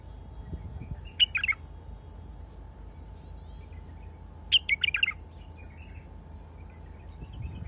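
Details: Wild bulbul singing two short, loud phrases of quick, clipped, bubbling notes about three seconds apart, with a steady low hum underneath and quiet pauses between.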